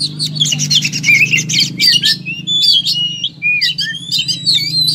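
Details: Kacer, an oriental magpie-robin, singing in fighting style with a rich repertoire: a buzzy churring burst, then twisting whistled phrases and quick slurred notes over a steady low mechanical hum.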